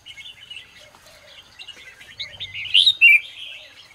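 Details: Morning song of a red-whiskered bulbul for training birds: fast, scratchy twittering with short high chirps, building to a few loud warbled notes toward the end.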